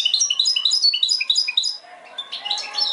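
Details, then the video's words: European goldfinch giving mixed song: a crisp run of evenly spaced, bright twittered notes, then a brief pause and a looser burst of buzzy chirps. "mixto de jilguero"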